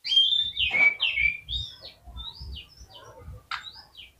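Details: Oriental magpie-robin (kacer) song played to prompt other magpie-robins to sing: a loud clear whistle sliding down, then softer varied chirps and short rising notes, fading with a final sharp burst.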